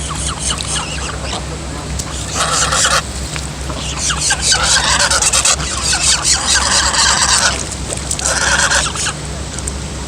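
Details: Young female goose, a gosling, giving strange loud honking noises: harsh, buzzy squealing bursts of a second or so, repeated in a rough series with short gaps, over a steady low hum.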